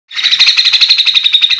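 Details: Grey-cheeked bulbul in lively 'gacor full mbeset' style, kept to train or lure other birds of its kind: a rapid, continuous chattering trill of evenly spaced, bright notes held at one pitch, with no other sounds.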